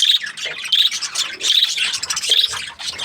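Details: Budgerigars chirping happily: bright whistled chirps recurring roughly every three quarters of a second amid scratchy chatter, with brief quiet gaps between bursts.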